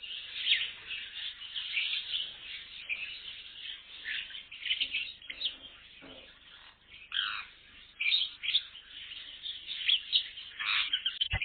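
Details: Colony of birds in an aviary, a dense continuous chorus of high chirps, squeaks and short squawks overlapping throughout, with bursts of louder twittering and no clear pauses.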